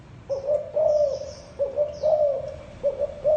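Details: Spotted dove coo phrases, a brief lead note followed by longer sustained low coos, with faint high bird calls behind.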